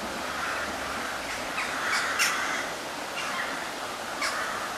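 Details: Mallard ducks on a river at Blarney Woollen Mills on 20 September 2012: a few short, harsh quacks spaced about a second apart, rising out of a steady rushing background hiss.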